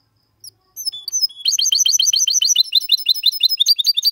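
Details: Goldfinch x canary hybrid (mixto de jilguero) singing a clean, error-free 'copia Malaga' style song meant to stimulate males to sing and teach chicks. A few thin high notes open, then a fast, steady run of bright repeated chirps.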